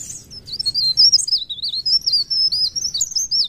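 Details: Cikrak daun, or blerengan, a leaf warbler, sings a sustained stream of high, thin, wavy whistled notes in quick succession for over three seconds, clean against a quiet background.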